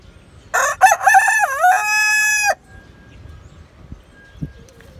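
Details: A Silkie Easter Egger rooster gives a single crow lasting about two seconds, with choppy opening syllables, a brief pitch dip, then a sustained even note ending abruptly, followed by faint background noise and a soft knock.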